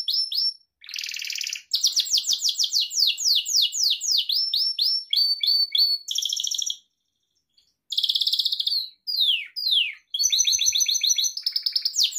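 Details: Singing pet Gloster canary: long run of rapid falling whistled notes, buzzy rattles and fluty trills in changing tours, with a brief pause midway and no other sounds.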